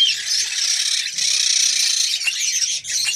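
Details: Female red-crowned parakeet (kakariki) ready to mate, giving harsh, squealing, high-pitched chatter that runs almost continuously for about two seconds, then breaks into shorter rasping bursts.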